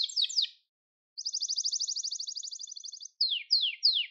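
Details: Brief Gloster canary phrases used for song training: a few quick notes, half a second of silence, a steady fast trill lasting two seconds, then three clear descending slurs.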